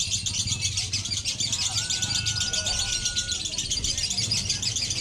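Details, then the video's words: Lovebirds dueling in a singing contest, pouring out fast, high, scratchy chatter without pause; a long steady whistle runs through the middle, with low human voices underneath. "DUEL LOVEBIRD KONSLET ADU KUALITAS"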